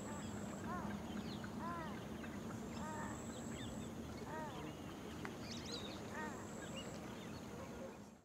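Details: Bronze-winged jacanas at Keoladeo Ghana National Park, India, in November 2023 give nasal, arched, piping calls several times a second, overlapping in a busy chorus, over a steady low hum and thin high insect whines.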